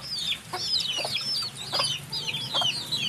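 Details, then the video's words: Softer, more distant peeping of chicks: high, looping whistled notes overlapping in quick bursts, with a low hum beneath. "HUNI NG SISIW, ACTUAL FOOTAGE CHICKS SOUND"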